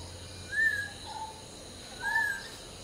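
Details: Hill myna singing at dawn while preening: two clear arched whistles, each followed by a softer lower note, about one and a half seconds apart, over a low hum and faint hiss.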